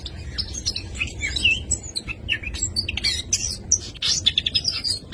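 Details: Oriental magpie-robin in full song, a rich run of whistled notes, sweet warbles and rapid chattering trills spread high, with sharp clicks and buzzy bursts between phrases over a low background hum.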